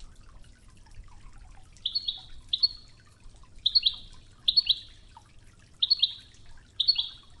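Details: European goldfinch on a Wedani-style Toghza training recording with river water sounds: short, sharp, high chirps given singly or in pairs about once a second, with faint water murmur beneath.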